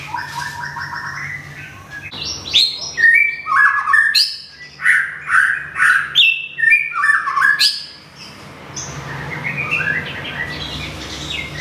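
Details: A white-rumped shama from Thung Song, Thailand, newly moved and regrowing feathers after a molt, sings a lively series of loud, rich whistled phrases. The bursts repeat roughly every half second, with sharp clicks between them, then it trails off into quieter twittering.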